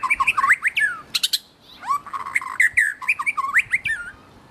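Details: Melodious song of a wild white-rumped shama, rich and varied. Rapid looping whistled phrases, rising and falling, come with sharp clicks and short squeaky notes. There is a brief pause partway through, then another busy burst of twisting whistles.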